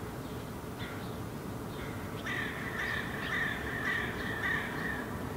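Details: Herring gull fledgling standing in a park in Helsinki, Finland, in July, preening, gesturing and vocalizing, gives a run of thin, whining, slightly falling calls, about two per second, over a steady low rumble of background noise.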